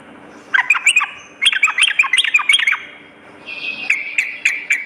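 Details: Yellow-vented bulbul singing vigorously, a recording meant to lure birds and train them to sing along morning and night: quick runs of bright, warbling notes dipping and rising, then a softer, steadier chatter.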